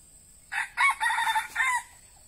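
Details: Decoy red junglefowl for luring wild birds crowing a single four-syllable phrase, a short first note, a stronger second, a long sustained third and a short dropping fourth, with a faint steady high tone behind.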